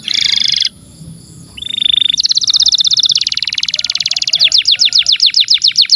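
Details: Singing canary, tutor recording for young birds and canaries that stopped singing: a short buzzy burst, a brief lull, then a long dense buzzing trill that loosens into separate falling chips.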